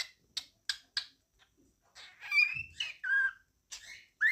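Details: A male cockatiel sings a warbling run of whistles after a few sharp chirps, with a female nearby.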